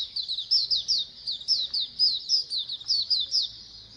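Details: Oriental white-eyes chorusing as a colony, played to encourage singing. Thin, high slurred chirps follow one another quickly and evenly, each burst a fraction of a second long.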